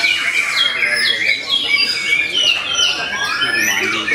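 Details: White-rumped shama at a songbird contest arena, making its first trial appearance after moulting. It sings rapid, varied whistled phrases with sharp sweeping notes high in pitch. Other competing birds overlap, and faint crowd voices can be heard.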